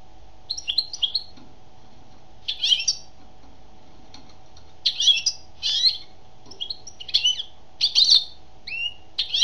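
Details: Female European goldfinch singing: short bursts of bright twittering, buzzy notes, some falling slurs, coming in clusters separated by brief pauses over steady low background hum.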